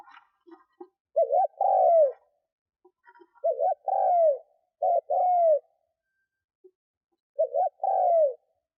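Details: Spotted dove used as a decoy for wild doves, giving four low coo phrases, each a quick wavy note followed by a drawn-out descending coo; faint clicks and knocks come before the first phrase.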